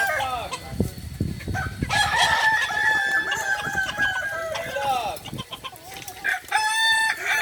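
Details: Kukuak Balenggek rooster crowing during training at Ampang Kualo, Solok: a long, multi-part crow held for about three seconds with a falling end, followed by shorter crows, over steady background noise and low clatter.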